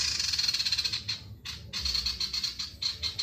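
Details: Loud song of a male ashy tailorbird, used to trigger singing in other birds: a fast, shrill, buzzy trill, a short break, then rapid high chips in clustered runs.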